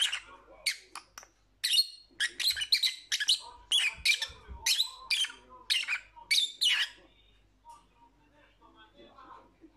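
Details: Dense lovebird chatter of harsh, high squeaks and chirps packed closely for several seconds, then trailing off into softer, scattered twitters with faint low knocks.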